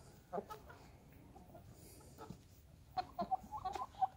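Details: A young light blue Brahma chicken from the 2020 hatch gives a few soft, scattered clucks, then a quick run of short, clipped clucks in the final second over a low, steady background murmur.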